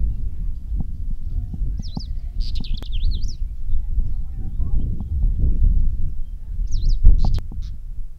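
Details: Bulgaria, May 2010, windy day: a pied wheatear gives two bursts of wavering, zigzagging high notes, the first longer and the second about four seconds later, with steady low wind roar throughout.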